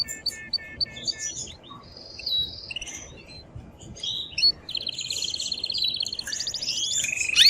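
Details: Strongly singing excited male canary courting a female: short repeated notes, then a varied string of whistles, quick slurs and rolling trills that build louder toward the end.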